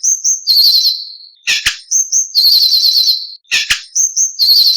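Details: White-rumped shama masteran song: very high thin trilled whistles, each phrase sliding slightly down, broken twice by sharp harsh clicks, repeated in a loose cycle.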